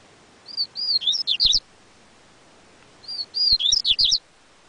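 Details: Yellow-bellied seedeater repeating the same bright phrase twice, about two and a half seconds apart. Each phrase has high whistled notes followed by a fast cluster of up-and-down slurred chirps, with a few soft knocks.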